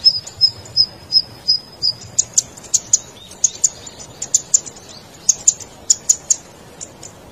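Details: Zitting cisticola calling, used to lure wild birds: opens with a series of slightly lower, softer chip notes about every third of a second, then shifts to sharper, higher clicks in quick clusters.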